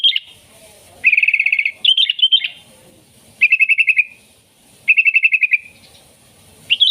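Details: Sooty-headed bulbul song for luring wild kutilang: fast rattling trills of many even notes, each phrase under a second, alternating with short warbled notes, repeated at regular intervals.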